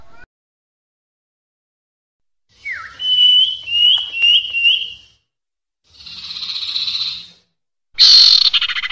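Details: Lure recording of a sirpu (Common Iora) for catching birds: a downslurred whistle and a run of short rising whistled notes, a steady harsh buzz, then a loud high note opening into a pulsed trill.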